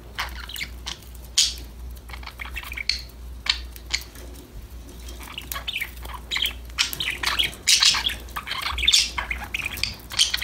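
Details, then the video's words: Budgerigars chattering to one another as they play, quiet at first, then growing into busy, rasping warbles and sharp chirps in the second half, over a low constant hum. "Your #budgies will start chirping, talking, playing"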